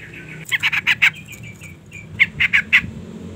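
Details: Female sooty-headed bulbul calling to provoke and lure a male into singing: two bursts of harsh, rapid chattering notes, five then four in a row, separated by a short pause.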